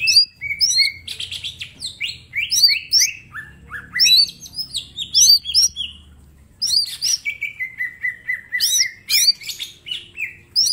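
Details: Green leafbird in full song as a training master, pouring out dense rapid sequences of sweeping whistles, chirps and trills, mostly high-pitched, in continuous runs broken by one brief gap near the middle; faint low background hum.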